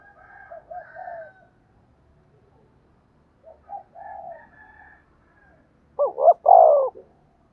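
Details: Spotted dove calls, used for training decoy birds. Quiet, soft cooing phrases come first, then a loud full phrase near the end: short rising notes leading into a long, drawn-out descending coo.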